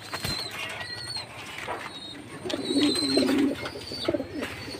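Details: Jacobin pigeon: a burst of wing flapping at the start, then a single low, bubbling coo phrase, with high-pitched chirping from other birds nearby.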